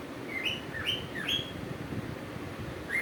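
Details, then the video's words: A cuckoo gives rapid rising whistled notes, about two per second, in short bursts over a steady low background rumble. "sounds of cuckoo"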